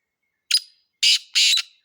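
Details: Close, loud black francolin call: one short rasping note, a pause, then two longer harsh, grating notes given back to back, with a clean, quiet background.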